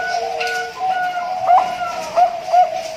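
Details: A farm-bred zebra dove, hatched 20 March 2023, gives its full cooing song: three soft, hooked, bell-like notes in quick succession over a steady, droning tone that runs throughout.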